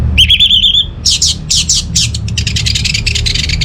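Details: Orange-headed thrush song for enticing idle home birds to sing: one sustained wavering whistle, then a fast series of harsh buzzy rasping notes repeated more than twice a second and gradually quickening.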